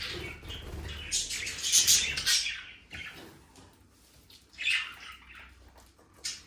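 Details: Budgerigars give bright scratchy chirps and squeaks, loudest at the start, then quieter scattered calls with occasional sharp peaks.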